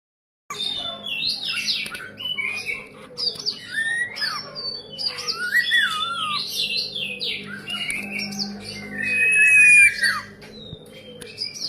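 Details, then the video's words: Young ashy drongo, already skilled at imitating the song of the common iora; varied whistled phrases, sliding up and down, with buzzy notes and a strong whistle near the end. "Burung saeran abu masih mudah sudah pandai niru suara burung cipoh"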